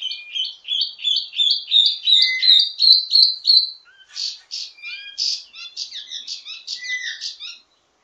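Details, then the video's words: Wambi mini from Indonesia in ledekan teasing song, used to train birds of the same kind: a steady series of about fourteen rising whistled notes, then a fast chattering, scratchy warble with many variations. "Ledekan Wambi mini Full Gacor Banyak Vareasi"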